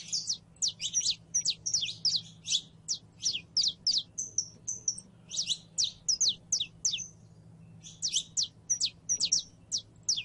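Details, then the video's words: A canary hen in heat calls a male to mate with a long rapid series of high, sharp chirps, about three per second, briefly broken by a few whistled notes, over a low hum. "HEMBRA EN CELO LLAMANDO A MACHO CANARIO PARA APAREARSE"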